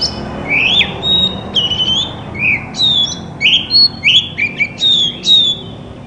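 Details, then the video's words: Loud white-rumped shama song intended to trigger singing in other shamas, a series of clear whistled slurs, some rising, some falling, evenly spaced. "Burung kacer terapi dari tidak bunyi langsung saut dengan suara ini dijamin gacor"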